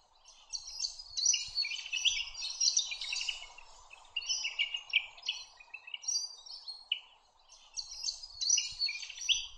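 Spectacled monarch giving bursts of busy, chattering high notes in phrases of one to two seconds, over a steady low hiss of background insects or distant noise.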